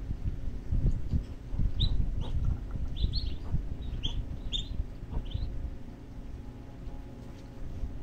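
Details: Thirteen black-bellied whistling duck chicks at feeding time in Boca Raton, Florida, USA, giving short, high, slightly rising peeps in scattered bursts over a steady low rumble of background noise.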